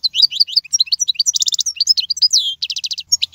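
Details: European goldfinch singing an error-free song for teaching young birds: a dense, fast jumble of slurred chirps punctuated by short buzzy trilled bursts.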